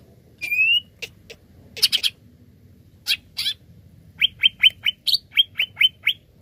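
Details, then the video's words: Lure song of a greater green leafbird, played to get other birds singing: a rising whistle, scratchy chatter, then a rapid even series of about ten short whistled notes repeated several per second. "PANCINGAN CUCAK IJO GACOR Greater Green Leafbird"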